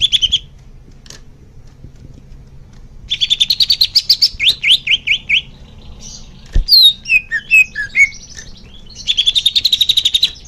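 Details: Leafbird song intended as therapy for young birds: short chirps, then a rapid chattering series with slurred notes, sharp whistled downslurs, and a final fast trill.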